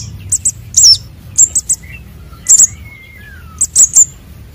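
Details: Konin and sogon sunbird young, calls played to lure birds: scattered groups of two or three sharp, very high chirps and squeaks, with faint thin lower whistles drifting in the gaps.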